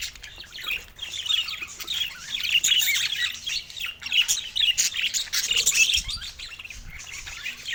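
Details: First calls of a young budgerigar chick: a steady stream of thin, raspy chirps and squeaks that rise and fall in loudness over several seconds, with faint clicks and rustling.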